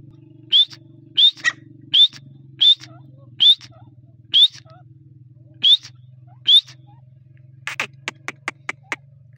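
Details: Grey partridge in breeding season giving clear rising whistled notes, roughly one every second, over a steady low mechanical hum, ending with a few sharp clicks.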